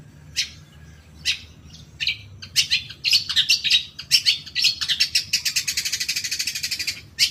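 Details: Stimulus song of a long-tailed shrike meant to provoke caged birds into singing: scattered harsh notes building into dense, rapid buzzy chatter and trills, ending in a fast, even series of clipped notes.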